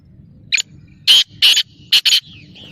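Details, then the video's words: Kala teetar, the black francolin, calls loudly: one brief scratchy note, then two drawn-out harsh notes and a rapid final double note, a rhythmic grating pattern over soft background rumble. "Kala Teetar Awaz / Blackfrancolin Voice کالا تیتر کی بولائی"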